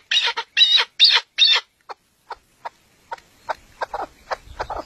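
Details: Chukar partridge, a bird of the mountains and national bird of Pakistan, giving four loud harsh chuck notes, then softer spaced clucks that quicken into a faster irregular series.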